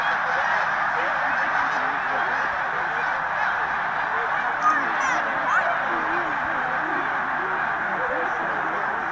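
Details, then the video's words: Huge mixed flock of migrating Snow and Canada Geese, with Tundra Swans, flying over Middle Creek, Pennsylvania, on 16 March 2015: a dense, continuous roar of overlapping nasal honks and yelps, steady throughout with no gaps between calls. "Mega Snow / Canada Geese Tundra Swan Flyover"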